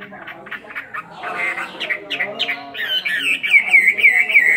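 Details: Chinese hwamei kept in a cage for two years, in fighting song. Rough, squawking notes build into bright, looping whistles that grow louder toward the end.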